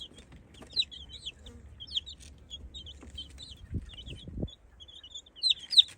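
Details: A chick separated from its flock gives rapid, high, piercing distress peeps, often falling in pitch, several each second, likely calling for its family while chicks are introduced to the flock; faint low thumps and soft hum underneath.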